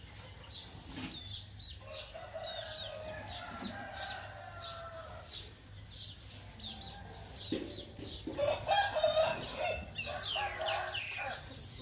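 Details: Roosters in the morning: drawn-out crows with several stepped, sustained tones, one loud crow near the end, amid clucking of other chickens and scattered chirps of small birds.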